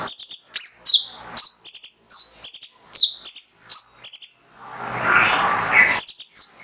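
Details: Male mangrove whistler singing steadily, about once a second, to stimulate other birds: ringing high whistles, several stuttered in rapid triplets, followed by a stretch of broad rushing noise before the song resumes.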